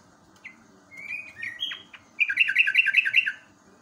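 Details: Yellow-vented bulbul song, natural recording used as tutor material for caged birds. Slurred whistles, then a quick run of about eight bubbly, chuckling notes repeated in an even rhythm. Background is otherwise quiet.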